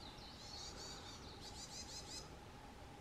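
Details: Narcissus flycatcher on Mount Rokko, Hyogo, Japan, late May 2020: a fast series of high buzzy, rattling notes, about a dozen in two bursts, over faint background hum.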